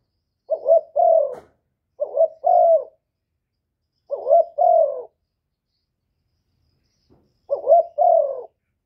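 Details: Spotted dove cooing to provoke rival birds, clean recording: four two-part phrases, each a short wavering rising note then a longer falling coo, repeated every two to three seconds, nothing else audible.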